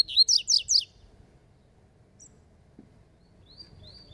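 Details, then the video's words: Spirited Rusty-collared seedeater competing in song: four loud, sharply slurred high notes in quick succession open the phrase, followed by near silence and a faint thin whistle at the close. "COLEIRO FALCONE DISPUTANDO"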